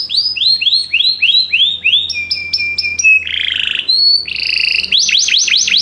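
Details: Canaries singing together after hearing music: a string of repeated downslurred whistles, then steady flat notes, a buzzy rolled phrase, a clear high whistle and quick descending sweeps; low hum in background.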